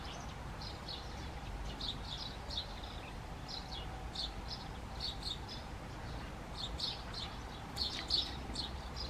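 A great tit sings quick, bright two-note phrases, high and ringing, repeated steadily over a constant low rumble of background noise.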